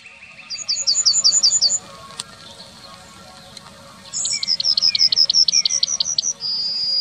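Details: Yellowhammer in the town of Wittlich, Germany, recorded in 2019, delivering two song phrases: rapid strings of repeated bright chirps, the second run ending in a longer, thin whistled note, over steady low urban hum.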